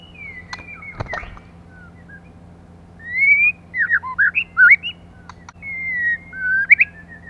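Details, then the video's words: Female white-rumped shama, a lure to stir up males, sings a long rising whistle, a rapid cluster of short looping notes, then a long slurred whistle and a final twist, with a thump and clicks early on. "CHOÈ LỬA MÁI.choè lửa mái kích trống.lửa mái.lửa mái mồi"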